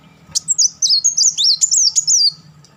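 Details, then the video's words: Kolibri Wulung sunbird delivering rapid chattering crecetan volleys, used as a master for tutoring birds: a two-second burst of high, twisting, warbled notes, dipping and rising in close succession. "crecetan dan tembakan beruntun Kolibri Wulung"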